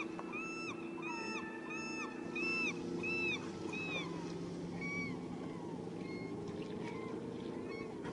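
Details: Glaucous-winged Gulls calling at Katmai's bear camp, a summertime sound here, from a river viewing platform in September: a series of clear, downward-bending mewing calls repeated about once a second, over a steady low hum and rushing background.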